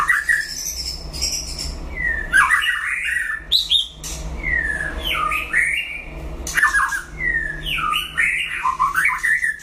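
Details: Competing against a rival, a white-rumped shama sings loud swooping whistled phrases roughly every two seconds, each ending in a jumble of quick notes, with a soft hum behind.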